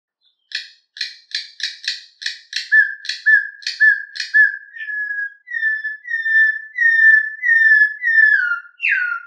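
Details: Campo troupial song in the canto mateiro style: a quick series of harsh, chattering notes leads into long, even whistles at one pitch, then a last downward-sliding whistle. Nothing else is heard.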